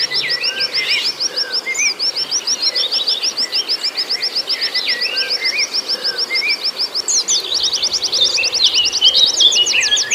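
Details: Oriental white-eye song used as a stimulating track for a caged bird, with fast high repeated chips in long series mixed with dropping whistled twitters, unbroken.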